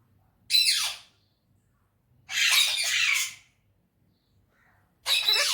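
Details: Talking parrot in a happy mood lets out three loud, harsh, noisy screeches, each lasting about half a second to a second, separated by quiet pauses indoors.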